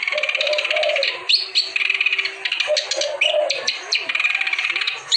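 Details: Clamorous reed warbler in full gacor song to coax quiet birds into singing: steady, scratchy, chattering phrases laced with upward-flicked whistles, over soft, low, rolling warbles repeated near the start and middle.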